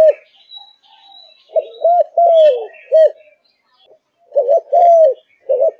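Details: Malaysian strain spotted dove kept in captivity, cooing in full voice: two phrases of deep rounded notes ending in a long downward croo, with faint twittering and a thin whistle behind.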